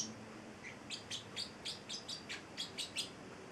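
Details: Pet Celestial parrotlet, male, eight weeks old, uttering a string of about ten crisp high chirps at an even pace in a quiet indoor setting.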